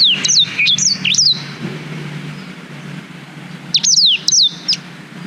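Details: Black-throated canary song recorded on a GoPro Hero 5, for use in training canaries: two bursts of high, sharp whistled notes that each sweep downward, separated by a pause, over a low steady background hum.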